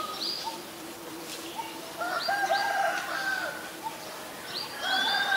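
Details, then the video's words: White-vented myna in Ubon Ratchathani, Thailand, 9 March 2022, giving a varied series of whistled notes and short, sharply rising squeaks, with a louder chattering phrase midway and another burst of high notes near the end. "นกเอี้ยงหงอน หรือนกเอี้ยงดำ (White-vented Myna)"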